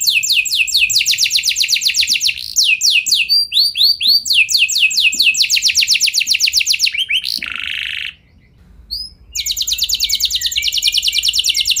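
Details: Canary singing a long rolling song meant to prompt other canaries into song: rapid trills of high sweeping notes repeated in fast runs, a short buzzy burst near eight seconds, a brief pause, then a fresh trill.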